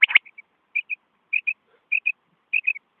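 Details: A female quail, used as a lure for quail hunting in Pakistan, gives short, high paired whistled notes, repeated about every 0.6 seconds after an opening loud burst.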